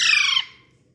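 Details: Pet parrot's short rasping squawk, loud at onset and fading within half a second, over a faint low hum.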